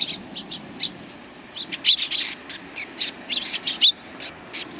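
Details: Sparrows gathering to be fed on the front approach of a Tenmangu shrine, 24 April 2020: bright, short chirps in loose bursts, some overlapping, with faint low background hum.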